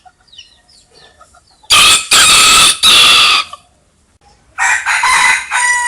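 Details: Rooster crowing in the early morning as a wake-up call: a loud, harsh, broken cock-a-doodle-doo in several strong segments, followed by a second crow after a short pause, with faint bird chirps in the quiet background.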